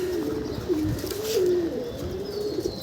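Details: Pigeon being fed in a Kalbaishakhi storm gives a low, wavering coo with a gliding pitch, rising and dipping over three seconds against a constant roar of wind and rain.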